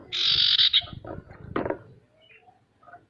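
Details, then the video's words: Male sirtu giving a lure song meant to encourage other birds to sing, opening with a long harsh buzzy note, then softer chatter and faint short whistles over a low background rumble. "Suara sirtu untuk memancing burung pemalas bunyi agar bisa rajin mau bunyi"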